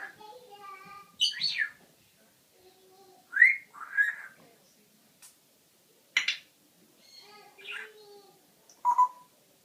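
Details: Pet parrot kept indoors making a varied series of short squawks, whistles and chatter-like sounds, separated by quiet gaps, some rising whistled notes and harsh bursts.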